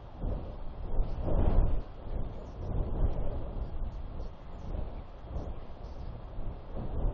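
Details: Heavy wind buffets the microphone in deep, gusting rumbles throughout; no animal calls stand out.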